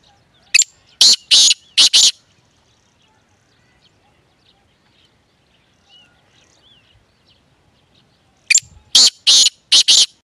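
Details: A francolin, labelled both grey francolin and black francolin (kala teetar), gives two bursts of four loud, harsh, shrill notes in quick succession, separated by a long quiet pause.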